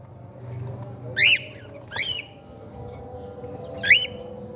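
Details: Cockatiel chicks at a playful meal time. Three loud, rising, squeaky calls sound about a second apart, over a steady low hum and background noise.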